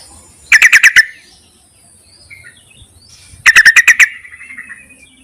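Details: Lure call of a Yellow-vented bulbul summoning males: a tight burst of five bright, stuttering notes, a pause of about three seconds, then a matching burst that trails into softer chatter.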